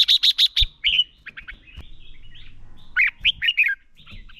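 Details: Captive lure red-whiskered bulbul giving a fighting song meant to stimulate other birds: four rapid sharp notes, then a run of whistled chirps, a pause, and a final bright warbled phrase.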